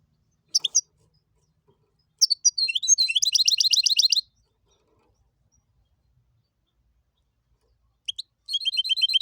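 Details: Hybrid of goldfinch and canary giving a few sharp isolated chips, then a dense run of quick high twittered notes lasting about two seconds, silence, and another chip opening a fresh rapid trilled phrase.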